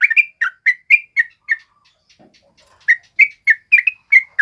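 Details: Male sooty-headed bulbul song intended to teach and provoke other birds: a string of clear whistled chirps, a brief quiet gap with soft faint sounds, then a renewed quick series of notes.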